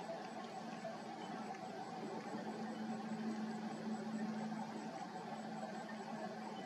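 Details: Continuous hiss and low mechanical drone, slightly swelling midway, with no clear animal voice.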